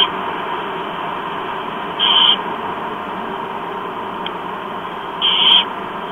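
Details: Barn owl chicks, four being fed breakfast by an adult at about 07:29 on 28 October 2015 in Chula Vista, USA, give two brief, harsh, screechy hisses about three seconds apart over a steady background hiss.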